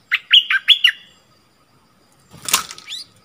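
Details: Decoy bulbul in a cage calling to wild birds, February 2021: four clear, warbled whistles in rapid succession, then a loud flurry of wingbeats and a short rising note as a bird reaches the cage.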